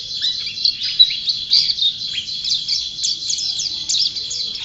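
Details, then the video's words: An energetic champion white-eye sings a dense, high-pitched twittering song of quick slurred chirps running together, with a few louder accented notes and faint background hum. "Burung Pleci Juara Gacor"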